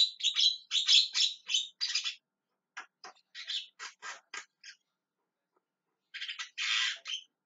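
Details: Loud repeated calling of a Javan myna: rough, buzzy chatter notes mixed with short clicking bursts, a silent gap, then a final harsh squawk sequence.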